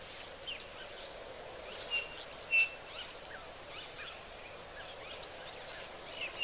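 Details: Blue waxbills calling at an African waterhole give thin, high whistled notes and short tinny calls, scattered irregularly through the clip over a steady hiss of background noise.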